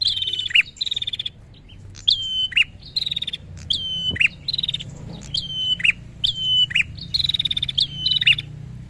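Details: Agitated prinia (prenjak) luring a rival with a steady run of shrill, rapidly pulsed phrases, each gliding down to a sharp chip, repeated about once a second, over low background rumble.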